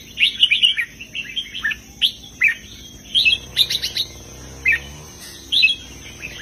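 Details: Red-whiskered bulbul singing southern master-style heavy phrases: lively, repeated bursts of rich whistled and chirping notes through most of the recording, one burst slightly buzzier, with a faint hum beneath.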